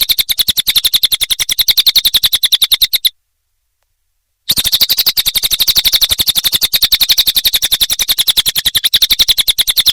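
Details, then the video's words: Nonstop cililin song for tutoring songbirds: dense rattling bursts of high, buzzy notes at a brisk even pace, broken by one short silent gap before the chatter resumes. "Masteran Burung cililin"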